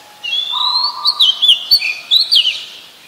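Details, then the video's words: Wild Oriental magpie-robin in full song, with sweet sustained whistles, a lower steady tone beneath, then quick bright twisting notes in several bursts, clear and close. "Gacornya Suara Burung Kacer di Alam Liar"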